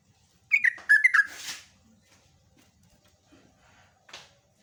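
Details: A trucukan, or sooty-headed bulbul, bursts out with three quick bubbly notes in ropelan style, followed by a rustling noise and later a brief scratchy sound.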